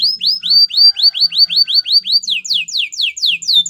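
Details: Canary song for training other canaries: a rapid series of bright, downward-swept whistled notes repeated about three per second, shifting midway into higher, steeper sweeping notes, with a faint low hum underneath.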